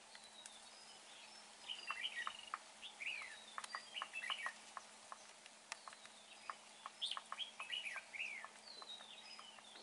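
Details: Red-whiskered bulbul in a trapping setup with repeated short whistled and chirped notes in quick bursts, mixed with sharp clicks and taps throughout.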